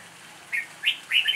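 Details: Red-whiskered bulbul singing improvisedly: three rising, liquid warbled notes in quick succession, the last a longer bubbling phrase, close and clear over a soft background.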